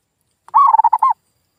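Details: One zebra dove lure phrase, intended to set non-calling local doves singing again: a brief run of quick, warbling mid-pitched coos lasting under a second.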